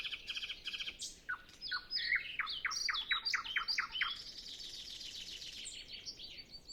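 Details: Pre-dawn nightingale song on a calm morning with other birds silent: fast stuttering notes, a burst of loud rhythmic chirps, then a fading high rattling trill. Zoom F6, Sennheiser MKH 8040.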